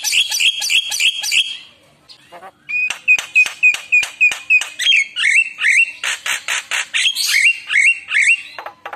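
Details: Javan myna singing loudly as a lure to draw replies from other mynas: a quick run of shrill notes, then a rapid series of clicks and piping whistles that breaks into warbled, rising squeaky phrases.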